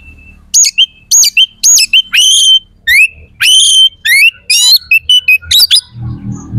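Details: White-rumped shama song of repeated rich whistles, upslurred notes and trills, about a hundred phrases a minute, used to stir other shamas' aggression and breeding drive; low rumbling noise near the end.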